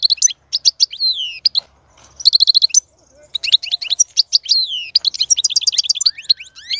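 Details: Song of a European goldfinch meant to encourage a female to mate and breed, a fast liquid twitter of tinkling notes, buzzy trilled bursts and downward-sweeping whistles, delivered in rapid phrases with brief pauses.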